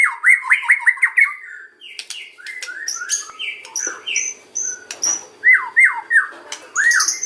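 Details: White-rumped shama singing kretekan-style lure song: rapid series of rich slurred whistles repeated several times a second, then crackling clicks and varied chirps, ending with looping down-slurred whistles and high squeaks over a soft hum.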